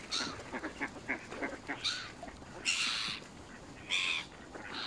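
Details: Canada goose seen up close at Smith's Pool, Fenton, Stoke on Trent, United Kingdom, on November 21 2021, recorded on a mobile phone. Separate nasal, harmonic honks sound about once a second, with quieter clucking notes between them.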